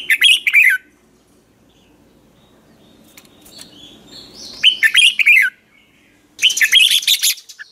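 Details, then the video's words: Red-whiskered bulbul decoy song in the 'ché' style, sung in the morning to train birds: three bursts of rapid, descending chirped notes separated by quiet gaps with faint twittering. "Chào mào hót ché luyện giọng quá hay 2020, luyện chào mào hót sáng, cách luyện chào mào hót căng lửa"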